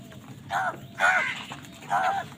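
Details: Crows squabbling over food give three hoarse, nasal caws about half a second apart, the middle one loudest, over a low background rumble.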